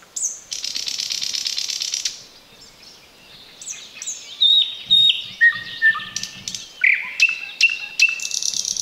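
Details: Close thrush nightingale, heard but not seen in bushes by a road in the Chornobyl Exclusion Zone in 2020, delivers a long dry buzzing rattle, then a quiet gap, then bright whistles and strong repeated chopped notes about twice per second.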